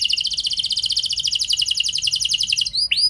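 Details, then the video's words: Canary song used as a lure to prompt other canaries to sing, in a luxurious, long-shooting style: a fast, steady rolling trill of high, bright repeated notes, switching near the end to a few sharp upswept whistles. "Pancingan Kenari Cengkok Mewah Nembak Panjang"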